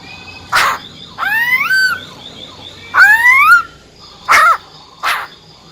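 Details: Female silver-eared laughingthrush with a wild-type song, used to rouse males quickly. Loud, harmonic whistles sweep upward, with short burry notes before and after them, all over a low background hum.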